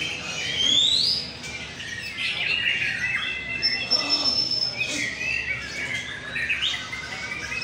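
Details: At a North Jakarta, Indonesia singing contest, a white-rumped shama opens with a bright rising whistle climbing high, then tangled fast chirps and warbles blend with many other birds singing at once.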